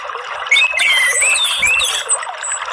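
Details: Morning song of an orange-headed thrush, meant to stimulate other birds into singing: loud fluty whistles rising and falling in quick succession, mixed with high thin notes, delivered as one flowing phrase.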